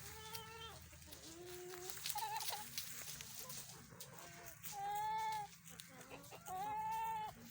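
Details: Newly bought young laying hens give drawn-out, nasal squawking clucks, two loud ones near the end a second or so apart, over a man talking and steady background hum; owner says his rooster has a throat problem.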